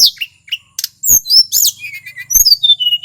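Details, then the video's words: Male tledekan gunung from Mount Merapi in full song for provoking other birds: sharp high chirps and clicks, then slurred whistles sliding down into steady thin tones. "Suara asli tledekan gunung merapi FULL GACOR"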